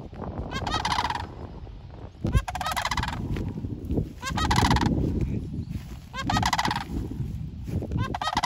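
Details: Sandhill cranes calling at a strawberry farm: repeated rolling, trumpeting rattles in four bursts, with heavy low rumbling noise and a thump throughout.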